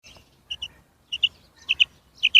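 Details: Female quail calling in clean, quiet surroundings: short high paired notes, each pair a quick double chirp, repeated about every half second, four pairs in all with faint soft ticks between them.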